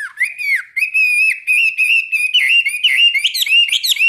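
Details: During daily morning song training lasting 15 minutes, a seasoned caged Chinese hwamei delivers a powerful, unbroken stream of varied whistles. Slides and quick trills build toward sharper, looping notes at the end.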